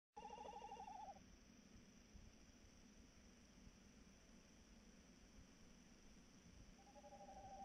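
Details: Tawny owl calling at night on 3 March 2018, about 21:14: a steady, slightly wavering hoot lasting about one second opens the clip, a second similar tone begins near the end, over low steady background hum.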